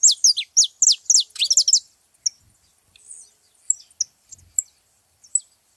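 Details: Saffron finches gathering to feed: a short volley of high, sharply falling notes and a dense twitter, followed by sparse faint chips.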